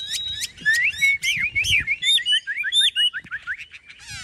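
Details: Caged Chinese hwamei, a big bird with a fully spread tail, delivering a dense run of rich whistled slurs and rising-falling notes, shifting into quick repeated short downward notes near the end.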